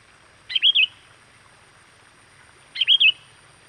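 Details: Luring call of a sooty-headed bulbul for attracting wild birds: a short bubbling three-note whistled phrase, given twice about two seconds apart, with light background hiss.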